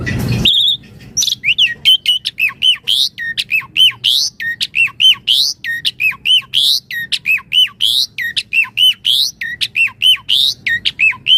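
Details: Energetic Javan pied starling song meant for daily tutoring and luring other starlings: a fast run of clipped whistles with rising and falling sweeps, packed densely, after a brief low thump at the start.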